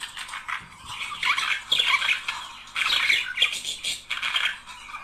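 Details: A pair of budgerigars singing, a recording meant to stimulate mating: dense, rapid chattering warble of scratchy chirps and squeaks, swelling in bursts with short quieter gaps between.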